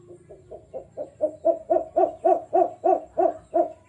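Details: Jujuk bird, known locally as Tatapaian, giving a rapid series of deep, hollow hoots, about three to four per second, swelling louder as the sequence goes on, over a faint low rumble.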